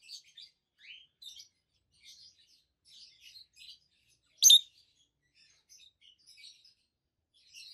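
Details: Two healthy adult peach-faced lovebirds, both green, one with a yellowish white face and one with a red face, chirping: scattered short high chirps and twitters, one sharp loud note midway, in a small quiet room.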